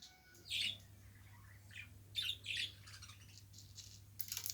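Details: Pet budgerigar kept indoors, giving a few scattered short, harsh chirps with long quiet gaps between them, over a steady low electrical hum.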